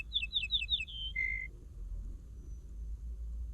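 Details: Common linnet singing: a quick run of four or five falling twittered notes, then a short steady whistle and a lower clear whistled note, over a low background hum.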